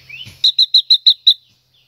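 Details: A female silver-eared mesia singing to stimulate a male opens with a soft rising whistle, then six crisp, evenly spaced high chirps in quick succession before falling silent.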